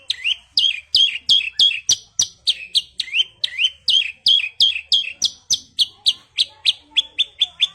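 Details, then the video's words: Rapid rolling song of a Javan bush lark, branjangan, delivered as quick rising chirps about three per second, loud and regular, ending in a run of shorter clipped notes. "Branjangan Mewah Roll Tembak"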